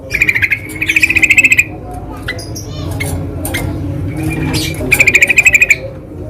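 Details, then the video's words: Yellow-vented bulbul calling in the wild: short bursts of rapid chattering pulses at an even pitch, separated by a longer gap filled with faint clicks and a steady low background hum. "SUARA BURUNG TRUCUKAN DI ALAM LIAR"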